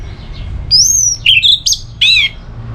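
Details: Orange-headed thrush singing in ngeplong style, intended to make a listless bird answer: a long high pure whistle, a few quick warbled notes, then a harsh ringing rasp.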